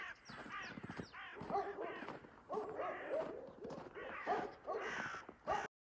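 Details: Agitated crows chase a hawk holding its collared dove prey at dawn in late March, giving bursts of coarse, nasal caws in uneven groups, with a faint thin high note drawn out above them.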